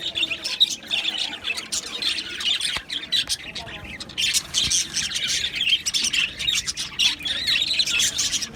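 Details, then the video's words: A flock of Australian budgies in an aviary on 11 July 2025 chirps densely and shrilly, dozens of overlapping high chirps forming a constant busy chatter. "Budgies Chirping sounds"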